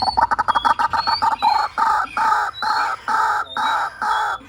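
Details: White-breasted waterhen lure recording: harsh, nasal notes that begin as fast clipped stutters, then lengthen into loud drawn-out croaking squawks repeated at an uneven pace of about two per second.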